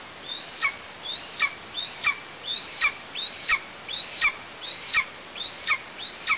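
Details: Eastern imperial eagle chick at a nest in Tatarstan, August, parents delivering prey; a steady series of nine high whistles, each climbing then snapping down, repeated roughly every 0.7 seconds.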